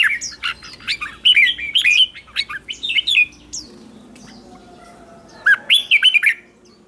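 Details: Red-whiskered bulbul morning training song, competition style: long runs of loud, warbled, rolling phrases with rapid pitch swoops, a quieter pause, then another energetic burst, with a few faint other bird notes.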